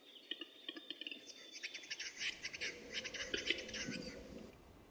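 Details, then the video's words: Courting Western capercaillie at a lek, recorded on film in the early 2000s: rapid rattling, grinding clicks packed into a scraping phrase lasting about three seconds, over low rumbling background noise and a faint high whistled note. "Глухариные страсти. Eurasian Capercaillie"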